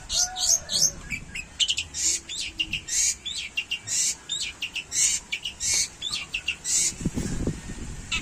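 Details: Long-tailed shrike delivering song that imitates a canary: dense, bright high chirps and trilled bursts in rapid succession, with a brief low rustling noise near the end.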